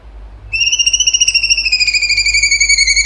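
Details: Singing cucak cungkok giving a 'tembakan' burst: one sustained, high, rapidly pulsing whistle that starts abruptly and runs on with a slight downward drift, steady and loud over faint low hum.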